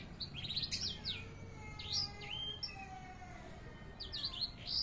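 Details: Canary singing as a tutor recording: scattered bursts of high chirps and downward-sweeping whistles separated by short pauses, with faint steady tones and low rumbling noise underneath.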